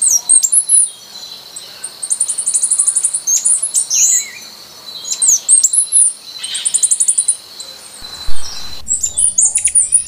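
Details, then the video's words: A Costa Rican Brushfinch (Arremon costaricensis) sings high, thin, rapid trilled phrases in bursts of about a second, with a steady high insect-like hiss underneath. "O canto do Tico Tico da costa rica ( Arremon costaricensis )"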